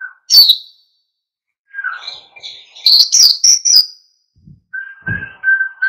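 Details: Oriental white-eye in energetic wild-style song meant to trigger other birds to sing. A short high twitter, then a run of quick, bright warbling notes, followed by a steady mid-pitched whistled tone with a soft thump.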